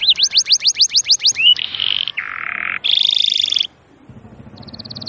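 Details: Canary song: a fast run of about nine repeated rising-falling whistled notes, then sustained buzzy rattling trills shifting in pitch, a short pause, and a quieter low rattle with a high trill at the end.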